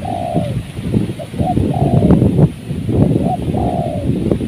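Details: Spotted dove heard while being trapped in strong wind: three long, gently descending coos, each with a brief lead-in note, over heavy low wind roar and faint background voices.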